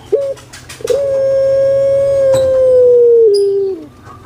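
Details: Pet puter pelung collared dove, a breed prized in Indonesia, utters a brief opening note, then one very long, smooth, steady coo of about three seconds that sinks slightly in pitch before fading.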